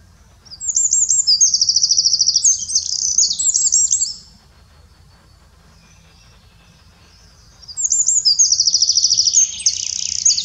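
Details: Two complete bursts of Eurasian wren song in Germany's Eifel, each about three and a half seconds of loud, high trills and twitters, separated by a few seconds of near silence.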